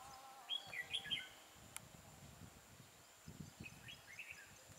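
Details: Red-whiskered bulbul recorded during trapping with a caged decoy bird, singing in a fighting contest; short bright whistled phrases rising and falling in two bursts, with steady background hiss and low rustling.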